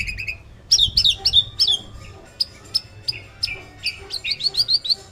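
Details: Male white-rumped shama delivering a varied song of bright, high whistled notes and short trills in uneven bursts, some phrases rising, some falling, with pauses between, over soft low background noise.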